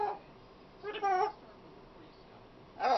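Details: Pet female macaw, a frequent talker, producing a clipped sound, then a longer wavering voice-like syllable, and a loud word at the close, separated by near silence.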